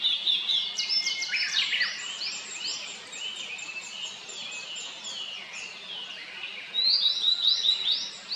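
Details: A Blue-and-white flycatcher, a summer visitor newly arrived in 2024 at satoyama and a mountain stream in Japan, sings high, bright whistled phrases mixed with fast twittering, with other small birds chirping.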